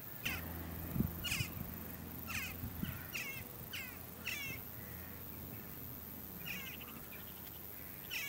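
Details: A flock of Western jackdaws before a storm trades short, sharp 'tchak' calls, about one every second, sometimes in quick doubled bursts, over a steady low rumble of wind.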